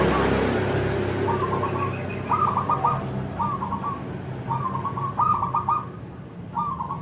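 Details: Local zebra dove used as a lure for other zebra doves; short rippling coo phrases repeat every second or so through heavy background noise.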